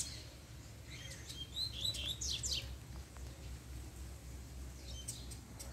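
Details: A captive male Double-collared Seedeater, kept as a pair, responds as the female appears. It gives bursts of high, sharp twittering chirps and short slurred notes, grouped early and near the end, over a steady low hum.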